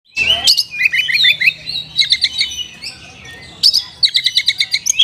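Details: Oriental magpie-robin singing a filled song in the 'kapas tembak' style: sharp whistled notes and slurs, then a quick run of evenly repeated bright chips.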